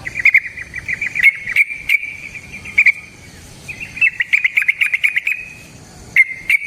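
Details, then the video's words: Yellow-vented bulbul long ropel song for luring other trucukan; steady bright chirping then a dense bubbling run of rapid notes, closing with a few more chirps. "Trucukan GACOR ngalas ROPEL PANJANG suara alam AMPUH buat pancingan"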